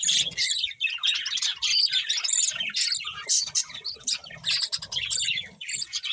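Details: Budgies chirping in a busy flock chorus, rapid twittering and warbled squeaks overlapping without a break, with faint low thumps underneath.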